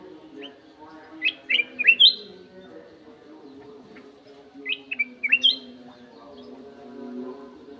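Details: Sooty-headed bulbul singing two short bursts of bright, liquid whistled notes that rise and fall sharply, the phrases about three seconds apart, over a steady low tonal hum.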